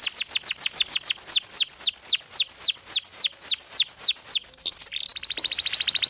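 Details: Singing canary delivering a rapid series of high descending chirps that slow into longer slurred sweeps, then break into a buzzy, fine-grained trill near the end.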